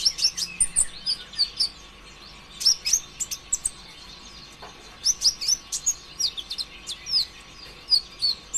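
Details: Sunbird, local name konin ijoan, heard as a lure to stimulate other birds: fast, energetic strings of high thin chirps, trills and sweeping squeaks in several bursts with brief gaps between them.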